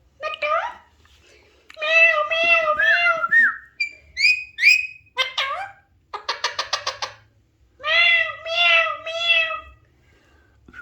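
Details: Alexandrine parakeet talking, with harmonic, nasal meow-like phrases and a 'hello' in separate bursts, then a fast stuttering run of short notes and more drawn-out meows, with brief whistled notes between.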